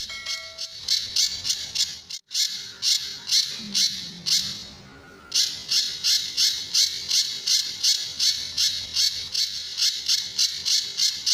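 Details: Sunda bush warbler master song for training other birds, tembakan and besetan styles: bursts of harsh, buzzy high notes repeated about three per second, broken by a short gap and a quieter stretch before resuming.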